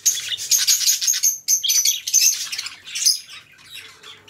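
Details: Two pet budgerigars, companion birds, chattering in a dense, buzzy, high warble of rapid clicks and squeaky notes, with brief bright whistles strung together for about three seconds before fading into softer scratchy chatter.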